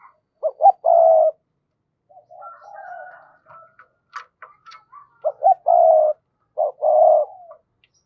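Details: Decoy spotted dove giving provoking double-voiced coos aimed at wild doves. Paired phrases of short then longer hollow hoots, with scattered sharp ticking clicks and a few quieter murmured notes between them.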